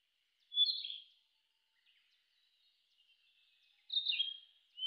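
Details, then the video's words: Narcissus flycatcher in forest giving two short, bright whistled phrases about three seconds apart, each quick and slightly trilled, over an otherwise quiet background. "Melodies of the Narcissus Flycatcher Bird"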